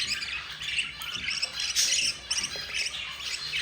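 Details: Budgerigar chicks, four of them, begging as their yellow mother feeds them: shrill, buzzy chirps piled together in a steady high-pitched racket with a few sharper peaks.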